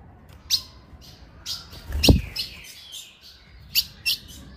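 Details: Female ultramarine grosbeak calls used to excite males: sparse, sharp, high chip notes spread over several seconds, with a dull low thump and background hiss.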